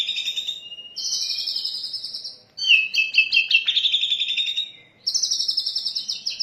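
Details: Oriental magpie-robin in rich mimicking song, used as a lure and training master: dense buzzy trills and rapid chattering phrases in bursts of about one to two seconds, separated by short pauses, high and bright throughout.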